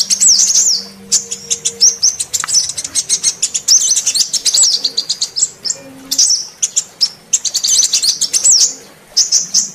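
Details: Female sunbird call used as a lure to provoke silent males of all sunbird kinds into calling: dense run of very high, thin chirps and short down-slurred twitters, some rising-then-falling whistles, nearly continuous for ten seconds.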